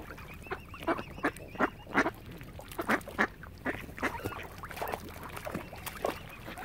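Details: A crowd of ducks around a swan family on Lough Neagh, Oxford Island, Ireland, calls busily with overlapping rasping quacks, some loud and some farther off, in an irregular stream.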